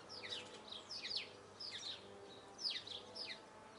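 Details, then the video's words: A Eurasian blue tit sings thin, high notes that slide downward, in short bursts about a second apart, over a faint steady hum. "Birds song - Marvelous song of Blue tit"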